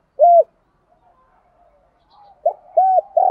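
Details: Spotted dove coo meant to stir other doves into cooing and fighting; one loud low hoot, faint soft murmurs, then two more short hollow coos.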